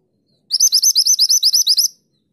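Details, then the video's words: Mantenan gunung delivering its energetic 'tulit tulit' song for use in training other songbirds: about twelve clear, high, upward-flicking whistled notes in an even, fast series, with silence before and after. "Mantenan gunung gacor nembak tulit tulit untuk masteran burung kesayangan anda"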